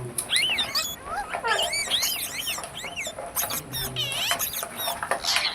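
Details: Parrot giving a stream of arching whistled chirps and squeaky warbles, the notes rising and falling quickly over a constant background hiss.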